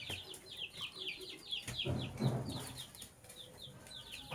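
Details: Lovebirds, sky blue opaline and cobalt colour varieties, chirping in the morning: rapid, overlapping, downward-sliding high chirps, roughly three per second, with a low thump and rustling near the middle.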